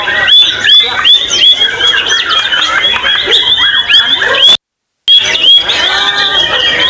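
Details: White-rumped shama, called murai batu king, singing at a 2024 bird-song contest in Tegal, Central Java, where it placed second. It gives bright, rising whistles repeated roughly every half second, set against a dense chorus of other songbirds.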